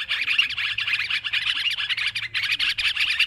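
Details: Sooty-headed bulbuls in a noisy bout of calling, used as a lure recording for trapping. Dense, overlapping bubbly chatter and short chirps pour out almost without pause. Many birds seem to call at once, with only brief gaps.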